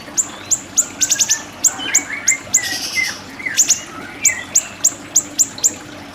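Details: Siri-siri bird song recorded as a training master: sharp, high, downward-sweeping chip notes repeated in quick runs, some doubled or tripled, with softer lower slurred whistles between and a faint hiss behind.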